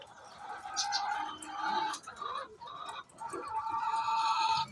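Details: Chicken calling before it lays eggs: a run of nasal, wavering clucking notes broken by short pauses, ending in a longer sustained tone, over faint background noise.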